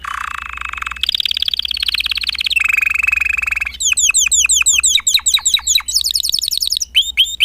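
A Spanish Timbrado canary sings a run of trilled tours: a low bubbling roll, fast metallic rattles, then quick downward whistled sweeps, several per second.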